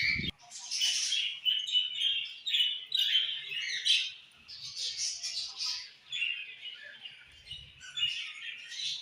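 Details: Budgerigars singing in the evening, caged: a continuous warbling chatter of chirps, squeaks and buzzy notes, rising and falling in loudness with short pauses, several birds likely overlapping, no other clear sounds.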